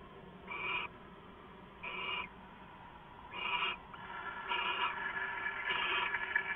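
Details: Owls at night, 2 September 2014 at 11:58 PM: harsh, hissing, screech-like bursts about a third of a second long, repeated irregularly, then a longer rough stretch, over a steady low hiss.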